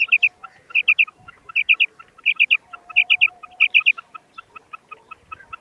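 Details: Female common quail calling: loud clusters of three to four sharp high notes repeated roughly every 0.7 seconds, followed by a run of single short evenly spaced notes; quiet background.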